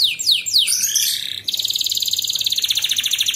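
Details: Canary tutor song for young birds in training for singing contests. Three quick downward-sweeping notes lead into a harsh mid-pitched roll, then a rapid, even, high trill repeated many times a second.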